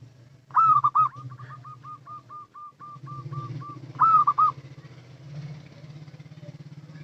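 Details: Lure call of a local zebra dove: a loud rolling phrase leading into a run of rapid short coos, then another rolling phrase, over a steady low hum.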